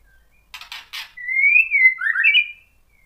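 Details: White-rumped shama lure song meant to set off other shamas: three dry clicks, then a smooth whistled phrase that rises and falls, ending in a lower double note.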